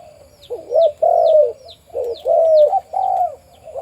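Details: Deep-voiced breeding male spotted dove at a farm giving low, hollow, drawn-out coos in separate phrases about a second apart, with faint high chirps from other birds behind.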